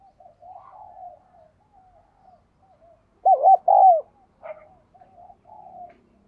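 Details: Spotted dove cooing: soft, low murmured notes lead into one loud phrase of two short hooked coos and a longer drawn-out coo, followed by quieter trailing coos.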